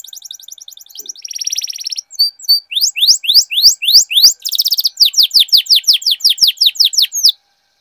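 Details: Canary in 'ngerol panjang' long-rolling training song, opening with rapid buzzy trills, then loud swooping chirps repeated quickly, alternating with rattling trill bursts before ending abruptly in silence.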